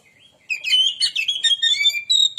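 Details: Oriental magpie-robin lure song meant to excite rival birds: a quick tumbling sequence of clear whistles and harsh chatter, ending on a pure, high, sustained whistle.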